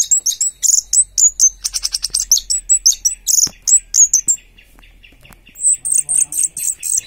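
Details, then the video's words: Orange-headed thrush singing in the 'teler' style, bright high chirped and whistled notes in rapid bursts, a quick stuttering run, then a pause before a fresh string of sharp repeated phrases. "Anis merah tak sesuai harapan, bodi bagus tapi teler ngaceng"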